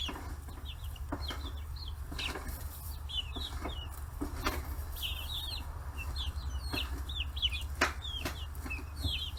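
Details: Free-range chicks, forty days old, flocking to fish heads in Kitahiroshima, Hiroshima, Japan; many thin, high peeps in quick overlapping bursts, with tapping pecks and a constant low hum beneath.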